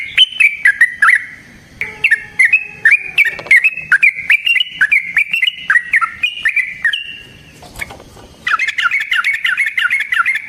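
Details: Long rapid 'ropel' fighting song of a yellow-vented bulbul, meant to provoke rival birds: a stream of bubbly, slurred whistles and chirps, a short gap, then a fast burst of chattering notes at the end.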